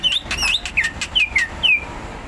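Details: Greater green leafbird, song in the rapid continuous ngentrok style: clear whistled notes, some rising then falling, others sliding downward, delivered in quick succession over faint background noise.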